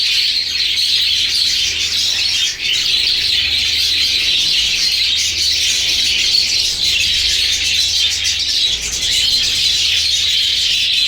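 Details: At a budgerigar breeding ground, many budgerigars (Melopsittacus undulatus) chatter at once in a dense, continuous wash of high warbling chirps and squawks.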